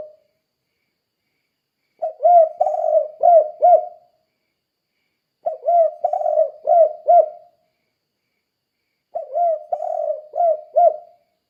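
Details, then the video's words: Spotted dove singing the 'kuk 2' style, used to train other doves to sing: three bursts of four low, mellow coos, the second note long and rough, each phrase repeating about every three and a half seconds against silence. "Suara Burung Tekukur Kuk 2 Gacor Untuk Melatih Tekukur Lain Biar Ikut Gacor"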